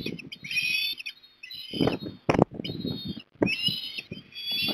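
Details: Osprey family at the nest in Port Lincoln, Australia, recorded 3 December 2021: series of high, thin whistled calls with harmonics, rising then slurred, repeated over several seconds, with low thumps and rustling below.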